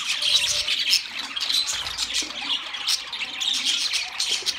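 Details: Several budgerigars chattering together: a dense, continuous wash of high, scratchy warbles and short squawks with bright chirps poking through, steady throughout.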